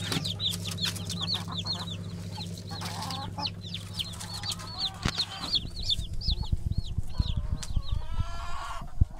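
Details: Black Ameraucana / Araucana chickens of the 2020 season; a chorus of high arched peeps, and then clattering and rustling handling noise takes over while the peeping continues more faintly. A low hum fades partway through.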